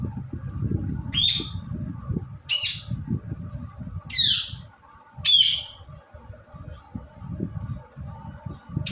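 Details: Indian ringneck parrot, filmed while talking and dancing, gives four sharp descending shrieks in the first half, then mostly low rumbling noise with one last cry at the end.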